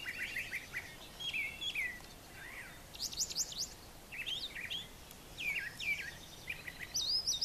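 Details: Morning song of a brown thrasher on a farm yard with brushy nesting areas: clusters of quick slurred notes, often doubled, alternating between lower and higher pitches, with short pauses between phrases.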